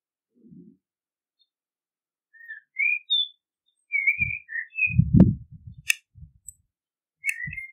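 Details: Common blackbird delivering scattered mellow whistles that rise and fall, mixed with loud low thumps, rustling and clicks nearby, ending on a sharp high phrase.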